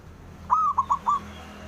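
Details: One full call phrase from a male zebra dove meant to draw an answer from rivals: a sliding opening coo, then three short rounded notes in quick succession.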